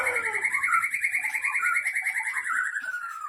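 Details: Long, rolling trill from a White-rumped shama of the Leuser line, caught in 2013 in Pining, Gayo Lues, Aceh. The rapid pulsed notes stay steady, then slowly fall in pitch, in the manner of a churning waterfall.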